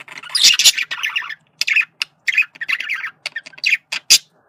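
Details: Male budgerigar calling to communicate: a loud harsh screech opens, followed by choppy scratchy chatter phrases and a final sharp squeak.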